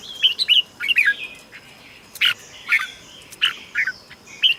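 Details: ['Scattered red-whiskered bulbul notes, short whistled pairs and single chirps spaced irregularly over a soft background hiss. The song is played to stimulate caged birds or to act as a decoy.']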